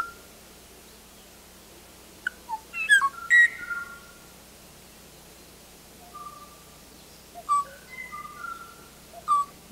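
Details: Last surviving male Kauai O-o, Alakai Swamp atop Kauai, late 1970s, singing in response to playback of his own song, trying to draw a female that never answered: clear, fluty whistled notes in two short bursts, some sliding down, with pauses between; faint hiss.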